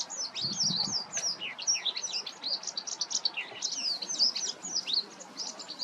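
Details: White wagtail calling in a lively, unbroken stream of high, thin twittering notes, many slurred downward, with some low noise in the first second.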